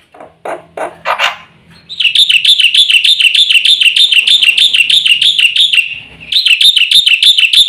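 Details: Black-winged myna song used as a lure and tutor: a few low rising squawks open, then a long regular run of shrill, wavering notes about three a second, a brief pause, and the run starts again.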